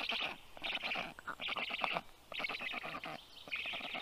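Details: Black stork chicks rescued from the wild, 29 days old, begging during a feeding at a veterinary clinic in Tartu, Estonia, June 2022; hoarse, rattling bursts of begging calls repeated about every second with short gaps.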